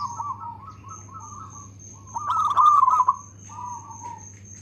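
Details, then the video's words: Local zebra dove, active and loud, with good rhythm: soft rolling coo phrases, one loud burst of rapid pulsed coos near the middle, then quieter cooing again. A steady high whine and low hum run beneath. "Perkutut lokal gacor suara lantang irama bagus"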